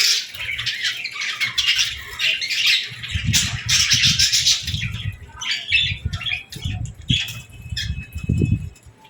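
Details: Budgerigar chicks and lovebirds chattering during feeding time: a busy mix of harsh squawks and quick high chirps from many birds, coming in bursts, with repeated low thudding knocks in the background.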